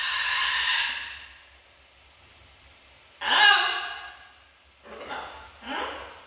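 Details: A pet macaw talking gives four breathy, speech-like bursts: one long phrase, a harsher syllable mid-clip, then two short ones close together, with quiet pauses between.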